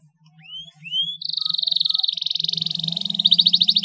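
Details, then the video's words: Canary singing in the rolling 'ngeroll ngerek' style: two rising whistled sweeps, then a long, fast, even trill of buzzy notes that speeds into a rattling roll, with a steady low hum underneath. "MASTERAN KENARI NGEROLL NGEREK SUARA JERNIH BERSIH"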